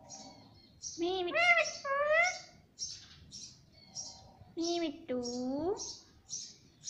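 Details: Pet ringneck parrot says "mummy mummy": two paired voice-like syllables with stacked harmonics, then another pair with a rising second syllable, over repeated short high chirps.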